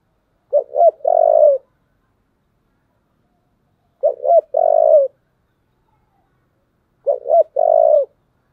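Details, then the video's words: Fighting call of a spotted dove, 'giọng thổ' style, three identical phrases each of two short rising coos and one sustained low coo, spaced roughly three seconds apart in near silence. "cu gáy giọng thổ, thúc đấu"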